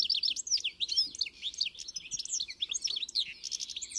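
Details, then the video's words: Continuous European goldfinch song of fast, liquid twitters and chirps, sweeping notes tumbling over each other with a few thin buzzy trills, steady throughout. "melher canto do Pintassilgo encarte"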